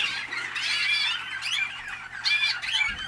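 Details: Malinois (Waterslager) canary, hatched in North Canton, Ohio, USA, delivering rapid rolling trills and short whistled notes in a continuous flowing phrase, with a louder burst near the end.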